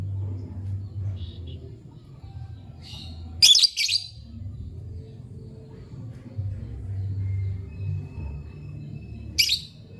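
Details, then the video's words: Lovebird chirping: a sharp, harsh broadband squawk burst near the middle, then a single shrill chirp near the end, with long quiet gaps and a low steady indoor hum throughout. "Lovebird Chirping Sounds"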